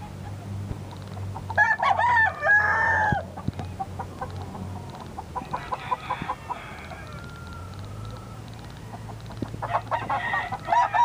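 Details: A few roosters: one loud hoarse crow of nearly two seconds early on, scattered soft clucks, a faint distant crow near the end, and a steady low hum behind them.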